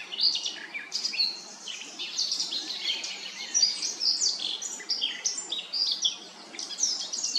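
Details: A Eurasian blackcap in Remscheid on 10 June 2022 sings a fast, continuous warble of varied chattering and scratchy notes that takes in other birds' songs. It is high-pitched and rambles without pause, with faint background noise.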